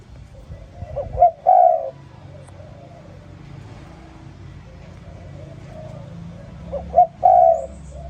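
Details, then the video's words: Spotted dove calling in the morning, a short coo phrase of a brief note and a longer coo heard twice about six seconds apart, over a steady hum of passing vehicles. "Sound Spotted Dove ln The Morning So Beautiful"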